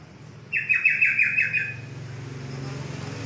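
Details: Olive-winged bulbul singing a short, rapid run of some six liquid, falling notes over about a second, with low rumbling vehicle noise behind.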